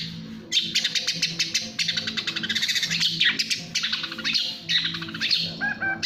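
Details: Long-tailed shrike (cendet or pentet), a national champion bird, singing in fast speed style: dense runs of sharp high chirps and rapid trills in quick bursts, with a faint low steady hum beneath.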